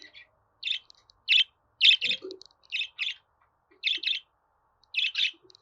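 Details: Budgerigar chattering in short, harsh, scratchy chirps, single and paired bursts every half second to second, with a few soft low notes between them.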